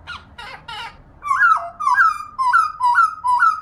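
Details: Female black laughingthrush, kept as a pet, giving the 'ro ro' voice used to stimulate singing; three harsh scratchy notes open, then a series of looping whistled slurs into short rolls, repeated about every half second.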